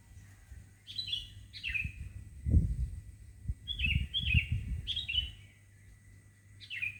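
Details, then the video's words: Birdsong in the morning in front of a house in Indonesia: clear whistled notes sliding downward, given in short pairs and runs about once a second, over steady low rumbling noise and a thin constant high tone. "Pagi-pagi sudah dihibur dengan kicauan burung didepan rumah"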